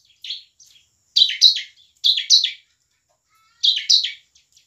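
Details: Bar-winged prinia singing with strong emotion in ngebren and nembak style, as a lure for lazy birds. Paired loud high chirps repeat in three bursts, separated by short silences.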